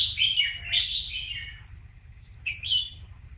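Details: Red-whiskered bulbul, kept caged for two years, giving short bright warbled phrases that slur up and down, a burst in the first second, then a pause and another phrase near the end, over a steady thin high whine and low hum.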